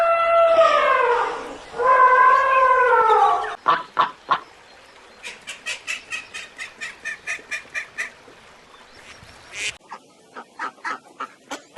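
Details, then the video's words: A domestic goose gives two long, nasal, drawn-out honks, then a quick run of short clipped cackling notes, about three to four a second. "voice and sound of animals: monkey, parrot, goose, peacock, duck, ram, giraffe, cow"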